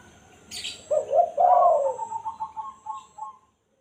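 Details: Spotted dove, real recording of the 'kuk satu' call used to lure wild doves: a brief rustling burst, two soft coos, a strong drawn-out coo, then a fading train of short rhythmic notes.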